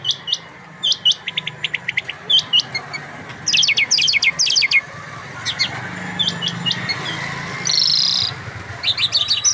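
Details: Irani lark, known locally as jal mushadi, singing: clusters of quick high chips and trilled notes in short bursts, over a steady low hum.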